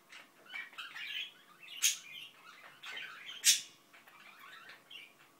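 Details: Indian ringneck parakeet kept as a pet mumbling softly to itself: a quiet, continuous stream of murmured chatter and small squeaks, with two brief sharper notes standing out.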